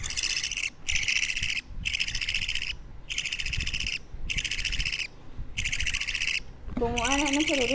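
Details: Harsh rasping calls from a two-week-old budgerigar chick come in steady bursts about a second long, separated by brief gaps. A wavering, voice-like tone enters at the very end over a low room rumble.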